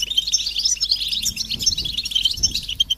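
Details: Several European goldfinches in lively chatter, mating and readiness calls meant to make males sing: sharp, tinkling high notes and rapid twitters in a steady flow.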